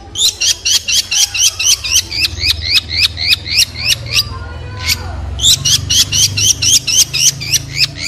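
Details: Long-tailed shrike giving a fast series of sharp, high notes, each with a quick rising hook, repeated about four times a second in two bursts separated by a brief pause with a single buzzy note; low hum underneath.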